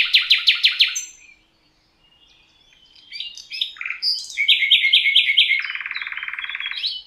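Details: In Poland's Rawka river valley a common nightingale sings a fast train of loud repeated notes, pauses, then adds jumbled chirps and a rapid buzzy rattle.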